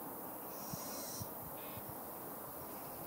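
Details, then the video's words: Little Owl fledgling uttering a single prolonged, high hissing wheeze, then a brief lower rasp, while soft low thuds sound beneath a continuous hum. "Fledgling Little Owl"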